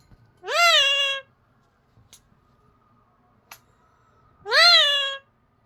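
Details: Pet parrot saying "bye" indoors: two drawn-out, harmonic-rich utterances, each rising then levelling off, about four seconds apart, with quiet clicks between.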